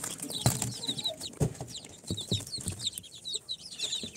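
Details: Newly hatched incubator chicks of Sultan, Golden Sebright, Cochin and booted breeds on their fourth day: scattered high peeps, softer than the thumps, pecks and shuffling noises that punctuate them.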